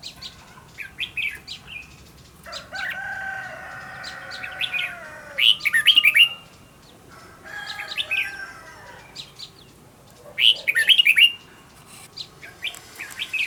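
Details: Decoy red-whiskered bulbul being trained to sing loudly, delivering clusters of quick, bright, slurred whistled notes about every five seconds, with a steady tonal hum beneath the early phrases.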